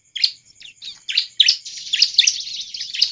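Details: Bar-winged prinia singing hard, used as a lure to prompt other birds to sing: sharp, high chirps in quick bursts about twice a second over a thin steady whistling hiss.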